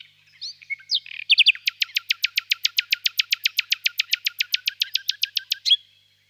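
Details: Nightingale singing softly on a warm spring evening in a birch grove. A few scattered whistled notes lead into a long, fast rattle of identical sharp high notes, almost four per second, ending abruptly; no other sounds are audible.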